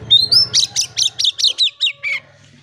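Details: Oriental magpie-robin song serving as a lure for quiet birds: a short rising whistle, then around eight crisp falling notes in steady rhythm, ending with one lower note, with faint low hum.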